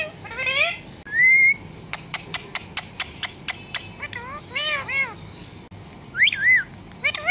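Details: Pet parrot talking like a human: rising and falling whistled sweeps and wavering syllables. A quick run of sharp clicks is repeated about six times per second, over a steady background hum.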